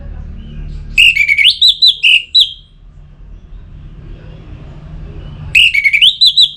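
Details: Orange-headed thrush from Singaraja, North Bali, played to stimulate singing; two bursts of quick whistled notes climbing then wavering, separated by three seconds of quiet with low traffic-like rumble.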